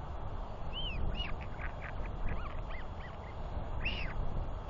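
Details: Royal albatross: a chick whees while its father feeds and preens it, with a second chick calling nearby, 9 June 2021; a string of short arched whistles and softer notes under constant low wind noise.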